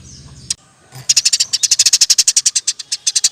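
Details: Eurasian tree sparrow used to train other songbirds, singing the roll tembak style: after a quiet start and one lone chirp, a long even burst of rapid, sharp, high chirps runs without a break.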